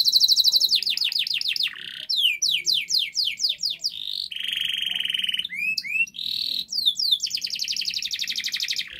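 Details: Canary singing a long, loud master song meant to prompt a silent canary to sing: rapid repeated downslurred trills, buzzy rolls and sweeping whistled notes changing every second or so, high and bright throughout.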